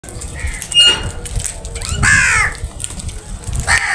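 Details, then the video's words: Crows feeding together in a group, giving a harsh, buzzy caw near the middle with shorter rasping notes before and after, over steady low rumbling background noise. "Crows Sounds | Crows absolute unity for food | Crows feeding together"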